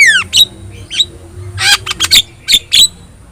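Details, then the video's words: Yellow-eyed Javan myna song for bird training: a falling whistle, then scattered loud squawks and short buzzy bursts separated by brief gaps, faint hum underneath. "JALAK KEBO GACOR MATA KUNING | Untuk Masteran Kicau Jalak Mania"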